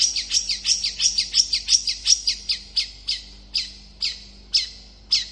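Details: Long-tailed shrike singing to provoke other shrikes into answering: a fast run of sharp, high chirps that slows to evenly spaced, clipped notes toward the end. A faint low hum sits underneath.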